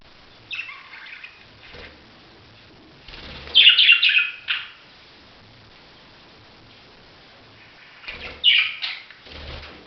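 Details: Budgerigar making a few scattered, grating chirps in two or three short clusters separated by long silent gaps.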